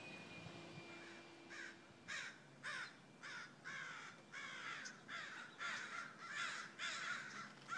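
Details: Crows cawing in a rapid series of harsh, hoarse caws, roughly ten calls in under eight seconds, some overlapping and loud, with a faint steady hum in the background.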